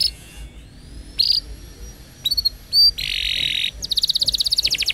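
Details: Canary song used as a training recording for young canaries. Scattered short high notes and a sustained faint tone lead to a buzzy rasping phrase, then a fast, evenly pulsed high trill at the end.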